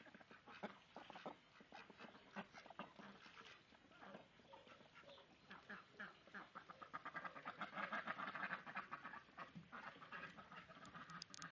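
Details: Domestic ducks during a dominance fight between two females, a mother and her daughter, with drakes mating with the dominant female. Dense, overlapping harsh quacks build to a loud, rapid chatter in the middle before easing off.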